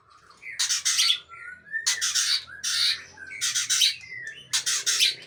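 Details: Murai Aceh, the white-rumped shama with a long tail, giving loud harsh rasping bursts about once a second, with short whistled notes between them and a faint low hum underneath.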